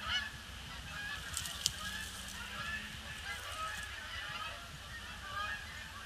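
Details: Canada geese arriving in a huge influx on Boxing Day, circling over a pond before landing; dense chorus of honking, a few sharper calls near the middle, over constant low background rumble.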